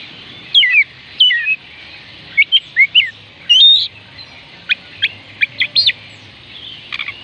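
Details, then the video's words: Kacer, the Oriental magpie-robin, in song meant to coax silent birds into singing: varied bright whistles, looping slurs and quick chips in irregular bursts, ending in soft high ticks, with a steady low background hum. "oriental magpie robin kicauan Kacer panggilan Kacer malas bunyi"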